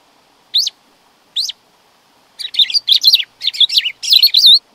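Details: Black-throated grosbeak song: two isolated sharp downslurred notes, then a rapid burst of buzzy, warbled, rising-and-falling phrases. No other sounds.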